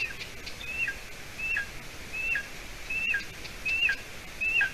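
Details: Young golden eagle calling at the nest in Latvia, late June evening, about seven weeks after hatching, as the adult female delivers roe deer hide. Thin whistled squeals with a short lower tail, about one every 0.75 seconds, over steady background hiss.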